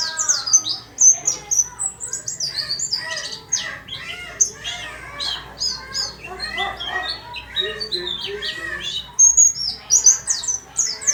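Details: White-eye kept in a small cage sings hard, a jumbled stream of high chirps mixed with busier, lower chattering notes.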